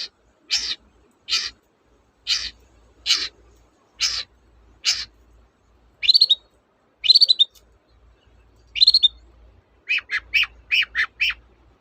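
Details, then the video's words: Long-tailed shrike (cendet) song played as a lure to get reluctant birds singing: a series of short harsh buzzy bursts about once a second, then sharper rising notes and a fast run of clipped chirps at the end. "BURUNG CENDET GACOR, pancingan ampuh burung cendet"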